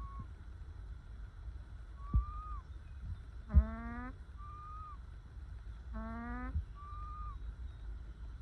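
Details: Calm ducks in the sun: short high whistled notes sliding down, alternating with two longer nasal rising calls, amid quiet background rumble and a couple of taps.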